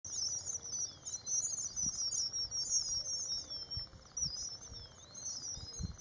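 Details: Red avadavats (red munias) during morning preening give a steady stream of thin, high, overlapping chirps and squeaky twitters from several birds at once, with a few soft low thumps.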